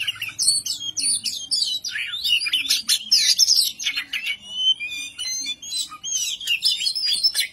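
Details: Oriental magpie-robin, kacer, showing the ngobra style to rile an opponent: dense tangled whistles and rasping bursts, loudest in the first half, thinning to scattered slurred notes later.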